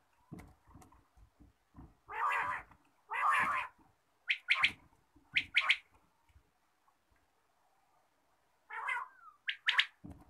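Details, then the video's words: Quail calling in the morning: two harsh, broad rasping bursts, then quick sharp notes grouped in pairs and threes, with a pause before a final rasp and two more sharp notes. "batair ki awaz, Bater Voice, Bater Sound, batair ki awaz subha"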